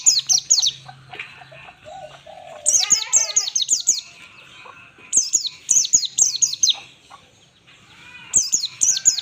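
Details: Ngalas-style pleci (white-eye) song for training other birds: quick runs of high, thin, downward-sweeping notes in several bursts, broken by a raspy lower chatter.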